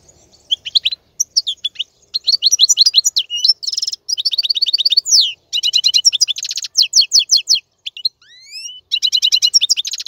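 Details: Rich song of a male European goldfinch, played to teach young birds: long runs of quick, liquid twittered notes and rattling trills, with a few upward-sweeping whistles near the end.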